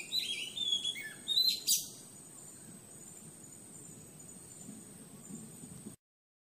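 A Madagascan magpie-robin gives a quick run of varied, clear whistled notes for under two seconds, ending in a sharp click, then a thin steady high whine over low background rumble.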